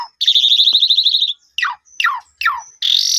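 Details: Song of an Asian pied starling played to make a newly purchased bird respond: a long buzzy rattling note, then three sharp descending harsh calls and a closing loud drawn-out screech.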